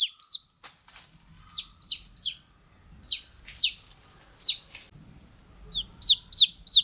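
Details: Chicks chirping with sharp, high falling peeps, scattered then quickening into a close run of four at the end, over a faint low rumble in the background.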